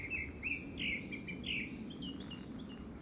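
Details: Courtship song of a Grey-backed thrush, seasonally timed for a second breeding: a quick run of clear, downslurred whistles followed by higher, thinner twittering notes, with low background rumble.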